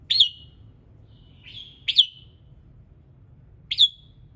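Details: Morning song of a red-whiskered bulbul, played to get other birds singing: four bright, punchy notes, one preceded by a softer rising whistle, spaced roughly a second or two apart, over a faint low hum.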